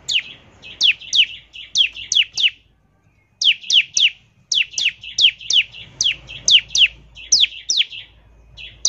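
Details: Bar-winged prinia song used as a lure to get prinias singing: sharp descending whistled notes from high to mid pitch, delivered in quick pairs and triplets, with a brief pause near three seconds.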